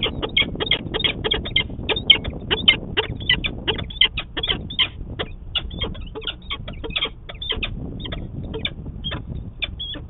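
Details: Peregrine falcon during morning courtship in Manchester, New Hampshire, on 25 March 2020: a steady stream of harsh, rasping cackling notes, several per second, continuing throughout with little pause.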